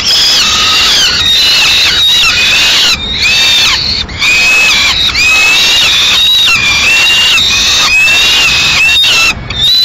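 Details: Peregrine falcon chicks in Madrid, May 2016, fighting over prey brought by the female; two chicks try to seize it. Harsh, continuous screaming wails with strong harmonics, rising and falling, in long overlapping runs with brief gaps.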